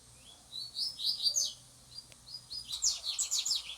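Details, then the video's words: Caged double-collared seedeaters trained to sing face to face, as part of their husbandry. Quick high twittering phrases of short, sharp notes come in two bursts separated by a brief pause, with a faint low hum underneath. "coleiros treinando cantar de cara"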